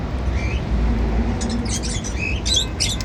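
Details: Pet cockatiels busy eating seeds make quick clusters of bright, scratchy chirps that grow denser toward the end, with a short rising whistle early on, over a low steady hum.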